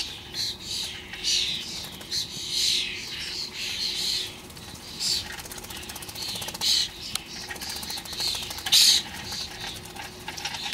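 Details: Starlings feeding noisily on bird food in a garden: a busy flock chorus of harsh, buzzy, scratchy calls and rattles with sharp clicking notes, continuous throughout, with occasional louder squeals and faint wing flutters.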